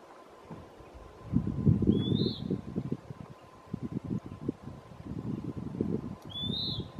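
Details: Western wood pewee singing at Lawrence E. Wood Picnic Area: a pair of brief, high, slurred burry phrases roughly four seconds apart, with steady low rumbling background noise between them.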